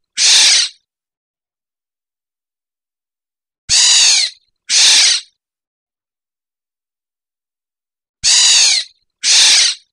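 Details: Black-naped oriole (Oriolus chinensis, kilyawan) calls in the Philippines: harsh, nasal, cat-like squalls, one alone then in close pairs every four to five seconds, with silence between.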